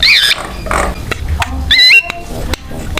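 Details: Javan myna singing to draw other mynas into song; an opening harsh wavering cry, scattered clicks, then a clear whistled phrase that climbs and levels off, with a steady low background hum.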